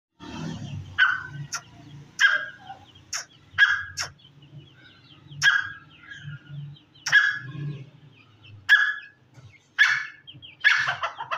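A grey francolin gives loud, harsh, ringing calls, repeated about every one to one and a half seconds over a low, steady rumble.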